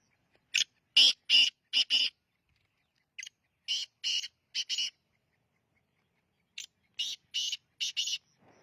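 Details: Sindhi black francolin, a young bird, repeating phrases of harsh, grating, buzzy notes, each phrase of three to five rasps, separated by pauses of about a second, with no other sounds.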